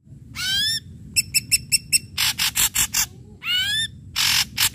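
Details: Ashy drongo singing loud to coax quiet drongos: a curving, ringing whistle, five crisp chips, a string of buzzy rasps, a second curved whistle, then more harsh bursts.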